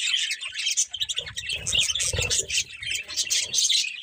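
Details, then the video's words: Morning bird chirping, many rapid high tweets in an unbroken chorus, over a soft low rumble or handling noise in the middle. "Cute Birds Chirping Sounds In The Morning"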